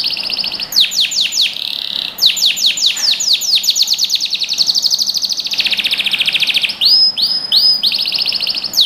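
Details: Singing canary, recorded as training for young birds: a high steady whistle, then bursts of sharp downswept notes, a long run of rapid repeated syllables, and rounded arched notes near the close.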